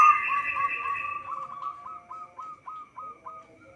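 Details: Local zebra dove used as a trapping lure: a train of short, evenly spaced, slightly rising notes, roughly three to four per second, with a higher sustained tone early on that fades out.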